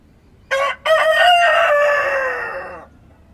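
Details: At dawn in rural countryside, a rooster gives one full crow, a clipped first syllable followed after a short gap by a long, loud, rasping note that sags gradually in pitch before ending abruptly; little else is heard.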